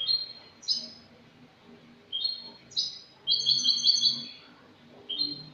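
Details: Clean-style song (cante limpio) of a Spanish European goldfinch, 22 August 2018: clipped high chirps repeated at short intervals, then one longer liquid trilled phrase near the end before another chirp.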